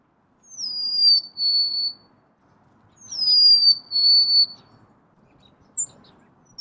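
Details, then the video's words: Golden-crowned sparrow giving two sweet whistled phrases about two seconds apart. Each is a high note gliding down, a short break, then a steady lower whistle. A soft murmur sits in the background. "Bird Natural Sound.Golden crowned Sparrow"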